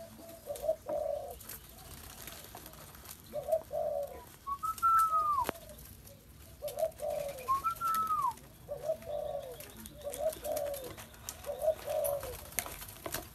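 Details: Spotted dove repeating short, low coo phrases at intervals of about two seconds across the recording. A thin, higher whistled note that rises then falls is heard twice between phrases.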